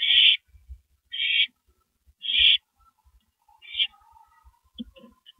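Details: At 2:15 AM on April 18, 2012, two owls on a porch give four harsh, noisy screeches in quick succession, the last weaker, followed by a few soft low clicks.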